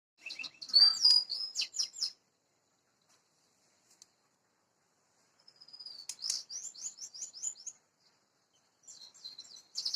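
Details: Oriental magpie-robin, a male kept as a songbird and fed ant larvae twice a week for stamina, singing clear high phrases: a rising whistle followed by rapid repeated chattering notes, in bursts separated by pauses, with no other sounds.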